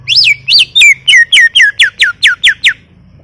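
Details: Full gacor tutor song of a greater green leafbird: about eleven loud whistled notes, the first rising then falling in an arch, the rest sharp downward slurs, evenly spaced roughly four per second.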